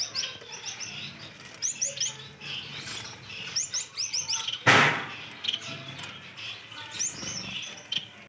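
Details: Breeding pair of common Gouldian finches kept as breeder birds; thin, high chirps come in quick clusters of three or four, repeating through the clip, with one loud broadband knock midway and faint room noise.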